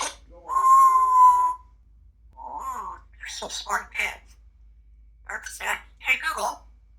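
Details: Pet female grey parrot making silly noises to entertain: a steady whistled tone lasting about a second, then a series of short, raspy, speech-like syllables in quick bursts, with a person's voice nearby.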